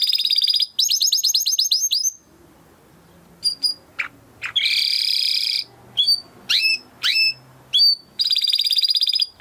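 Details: Timbrado canary training song in broken bursts: rapid trills, a buzzy rolling tour and short upslurred chirps separated by quiet gaps.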